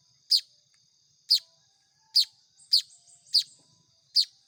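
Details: Hand-fed Baya weaver chicks giving six sharp, buzzy, high begging notes in four and a half seconds, the later ones closer together, with fainter chatter between them.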